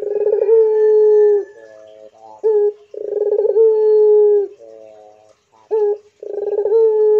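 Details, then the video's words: Barbary dove of the pelung variety cooing in captivity. Two long coos each start with a bubbling roll and stretch into a steady hollow note, with soft warbling notes and short clipped coos between them. "PUTER BISU I DENGARKAN MANGGUNG PUTER INI GACOR PLONG I PUTER PELUNG GACOR DOR"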